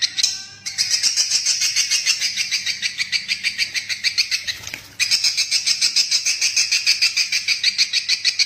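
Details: Swiftlet lure call, played to draw swiftlets in to roost: rapid, pulsing high chirps, about three per second, with a short gap near the start and a brief dip around five seconds.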